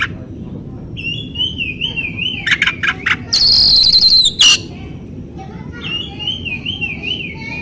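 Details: Oriental magpie-robin singing in a recording meant to trigger singing in silent birds: a wavering, yo-yoing whistle, a few clipped notes and a brief loud buzzy burst, then the undulating whistle again over low background hum.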